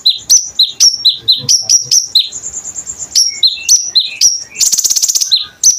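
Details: Chatty konin bird song for training kolibri ninja songbirds: quick strings of high, sharp, downslurred chirps with a thin held whistle and a brief dense buzzy rattle near the end.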